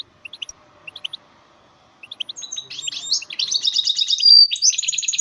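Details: Goldfinch hybrid, starting with a few soft paired chirps, then breaking into a quickening series of buzzy trills that builds to a piercing drawn-out whistle and further rapid rattles.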